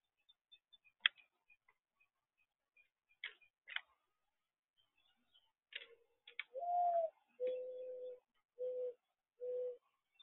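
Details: Mourning dove cooing after a run of scattered sharp clicks and ticks. A rising slurred first note is followed by one long steady coo and two shorter, evenly spaced coos, all low and mellow.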